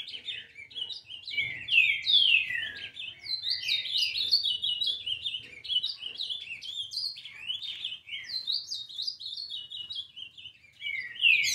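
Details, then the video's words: Brown-plumaged ultramarine grosbeak of eleven months singing at length: a rapid, varied warble of up-and-down slurred notes packed closely together, steady and bright, ending with a sharp louder note. "Azulão Pardo Com 11 Meses de idade Dando Um Show de Canto"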